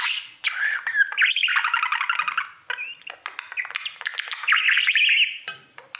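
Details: Caged pet budgerigar warbling at its mirror, a long run of rapid chattering, trilled and buzzy notes mixed with clicks and slurred whistles, with a short break midway.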